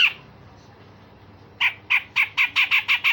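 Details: Harsh call of a grey-cheeked bulbul used as a vocal tutor for songbirds: one loud note, a silent gap, then an accelerating run of about eight raspy calls.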